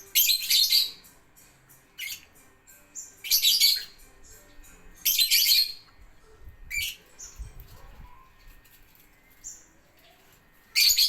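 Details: Lovebird song in ngetik style: loud, dense bursts of harsh high chatter lasting under a second, spaced about every one and a half seconds, with faint chirps between them.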